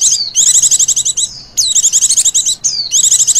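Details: Oriental white-eye female, recorded as a lure for other birds, delivering ngecir-style calling: three long bursts of fast, high, buzzy trills, each opened by a sharp downward-sliding whistle.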